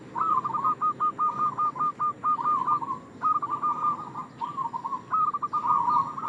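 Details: Local zebra dove, male, lure call for trapping: rapid stuttering series of clipped, bubbling coo notes in several bursts, loud and clear against a quiet background.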